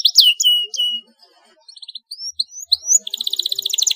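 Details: Canary song for stimulating young canaries to sing, with sharp rolling trills: bright descending whistles, a few quick chips, then a rapid buzzy high roll repeated many times a second to the end.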